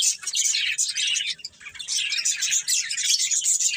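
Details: Budgerigar breeding pair giving constant bright chirps and warbles, a rapid high chatter with a brief lull near the middle before resuming.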